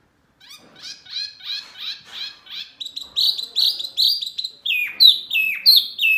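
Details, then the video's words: Masteran birdsong used to get caged birds answering: a run of soft, rapid, chattering notes repeated about three times a second, building into louder, sharper downward-sweeping whistles. "Masteran burung Murai, Kacer, Cucak ijo, jalak, pasti NYAUTTTTT"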